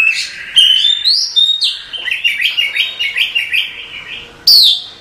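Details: Female Oriental magpie-robin calling to a male at night: a held whistle leads into a rapid run of repeated chirps, about five per second, closed by a sharp high slurred note.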